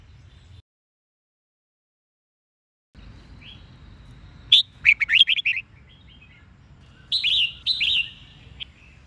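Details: A red-whiskered bulbul, Sông Kôn voice, sings at dawn in a recording meant to spur caged birds to sing: silence, then a fast cascade of sweet whistled notes, later a shorter pair of clear warbled phrases.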